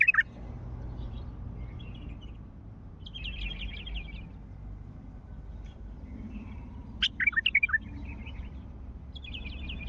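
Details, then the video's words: Bulbul in the wild at Mandali uttering a crisp, bubbling phrase of five or six rich whistles in under a second, amid thin high twitters from other small birds and a constant low background rumble. "ندهات بلبل وحشي مندلاوي"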